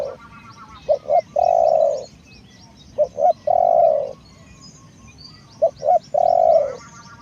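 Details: Spotted dove used as a decoy, repeating a phrase three times: two quick short notes, then a long steady coo, about every two and a half seconds, with high chirps from other birds in the background.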